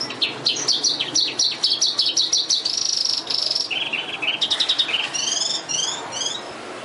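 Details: Thoroughbred Oriental skylark in Vietnam singing a dense, varied high song: rapid chirps and slurred notes, a sustained buzzy trill, then clipped lower notes and a series of upward-sweeping whistles.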